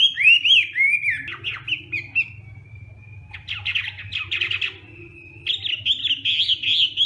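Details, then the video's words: Hwamei singing in the morning as voice training for song contests: varied loud whistled phrases with rising and falling slurs, rapid chattering bursts and a sustained steady note, over a faint low hum. "Hoạ Mi Hót Đấu /hoạ mi hót sáng luyện giọng"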